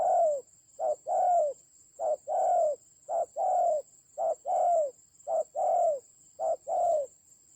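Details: Spotted dove battling a decoy bird in the Central Highlands forest of Vietnam, 19 October 2020: rhythmic run of about seven short-long coo pairs, low and hollow, evenly about a second apart, thin high hum throughout.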